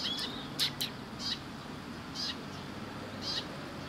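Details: Sparrows gathered at food at a Tenmangū shrine, 10 October 2017: brief high chirps, a quick double chirp early, then single chirps spaced about a second apart against faint low noise.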